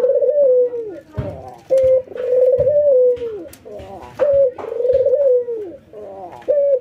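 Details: Two ringneck doves, albino white and local, trained routinely to stay vocal, nodding as they call: trilled rolling coos with falling tails, answered back and forth roughly every two and a half seconds, soft clicks around.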